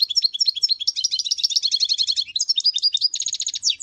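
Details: Goldfinch twittering without a break: a fast stream of bright, tinkling and slightly buzzy notes, with a quick run of rattled trills near the end.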